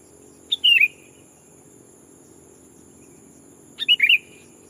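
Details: Decoy sooty-headed bulbul used to lure wild birds, calling a rival: two short liquid, bubbly three- to four-note phrases, dropping slightly in pitch, about three seconds apart, over a steady faint high whine.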